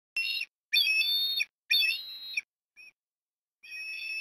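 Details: Osprey at a nest in Port Lincoln, Australia, on an October 2021 afternoon during food deliveries. Four loud, high whistled calls and one short faint chirp, each with a shrill harmonic ring. The calls are separated by brief silences.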